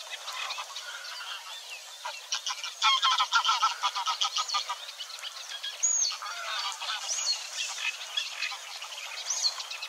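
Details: Eurasian Reed Warbler at Wetering West, Overijssel, 6–7 May 2022, burbling contentedly with slight mimicry; rhythmic chattering phrases that swell loudest mid-way, with a few high descending whistles from another bird.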